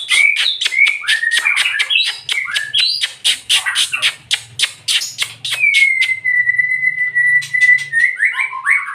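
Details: White-rumped shama pouring out a loud, varied song of rapid chattering notes and whistled slurs, then a long, steady, level whistle held for about two seconds before more quick phrases; a faint low hum underneath.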